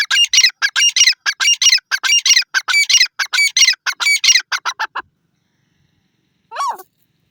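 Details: Grey francolin, locally called teetar, giving a fast series of loud, harsh, squawking notes for about five seconds, then a single rising-and-falling note after a pause.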